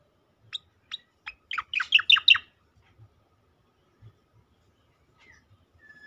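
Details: Striated grassbird with a sweet voice, offered as a tutor recording for training young songbirds: three spaced sharp high chirps, then a fast run of loud, descending, slurred whistled notes, followed by quiet soft taps.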